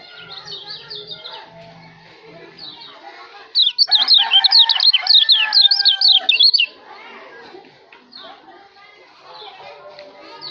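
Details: Lombok kecial (white-eye) singing for a bird-training recording: three seconds of loud, rapid, zigzagging high whistles stand out in the middle, framed by a busy chorus of softer chirps and twitters.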